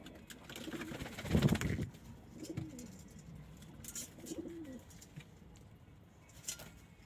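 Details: Domestic pigeons kept as pets, local breeds alongside Indian, Chinese and homing pigeons; a few low, throaty coos rise and fall among wing flutters and clatter, with one loud burst near the start.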